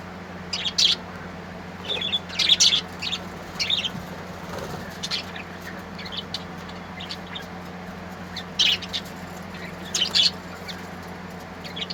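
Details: Colourful birds singing: scattered bright, high chirps and short twittering bursts come every second or two, with gaps between them, over a constant low background hum.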